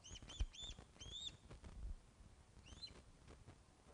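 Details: Webcam at the Loch of the Lowes osprey nest, 21 August 2012 at 16:35, fish being delivered; a quick string of piercing whistled chirps, a short pause, then two more, over low rumbling noise.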